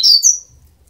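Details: Double-collared seedeater nestlings, 12 days old, give two quick, thin, very high squeaks, the second a touch higher, within a third of a second; a faint low rumble follows.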